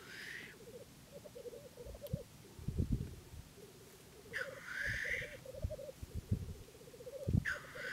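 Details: Black grouse in April 2011, a steady low bubbling coo rolling on without pause, broken by three loud rasping hisses at the start, middle and end, with scattered low thumps of wind or handling underneath.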